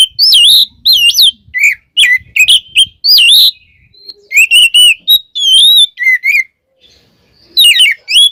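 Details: Kacer, the oriental magpie-robin, in vigorous full song meant to provoke other birds: bursts of bright, swooping whistles and short chirps, some rising and some falling, with brief silent gaps between phrases.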